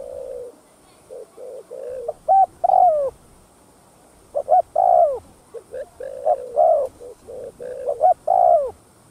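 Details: Spotted dove giving a full 'thúc gù' (driving coo) sequence, used to stir caged decoy doves to coo: low hollow coo phrases, each made of short clipped notes ending in a longer falling note, repeated about three times with soft murmuring coos between.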